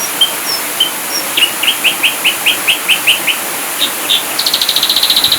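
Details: Ashy drongo masteran in 'full tembakan' style: several clear whistles, a steady series of about nine upslurred notes, two sharp calls, then a rapid burst of buzzy repeated pulses.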